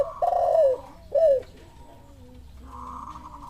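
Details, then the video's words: A spotted dove answers a lure call: two loud, hoarse, down-slurred coos, then quieter low tones and a sustained higher hum. "Suara pancingan derkuku, tekukur langsung nyahut ikut bunyi"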